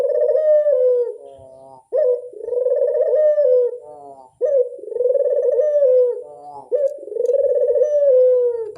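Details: Barbary dove lure call: low, rolling coos with a pulsed, purring texture, each lasting about two seconds, given four times in steady succession with short buzzy notes between them.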